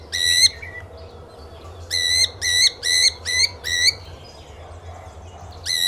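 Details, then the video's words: Lutino cockatiel giving a run of loud, nasal, flat chirps, six calls close together at a brisk, slightly uneven pace, with a short pause before and a final chirp starting at the end, over a low background hum. "Lutino cockatiel Chirping Sounds"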